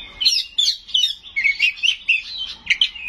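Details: Oriental magpie-robin (kacer) in full 'gacor' song packed with mimicked 'isian' phrases and sharp 'nembak' bursts: quick run of bright whistled, slurred notes, several per second, with no other sounds.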